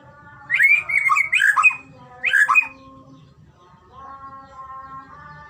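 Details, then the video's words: White-rumped shama song from a training recording to make shamas sing: two quick bursts of bright, swooping whistled notes, then a quieter, even, nasal tone and faint low background noise. "masteran burung murai batu..! terapi Murai batu cepet gacor..!!"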